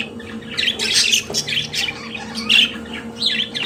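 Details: Budgerigar kept as a pet, singing: scratchy chirps and raspy squawks in short clumps, sometimes bright and buzzy, against a constant low electrical hum.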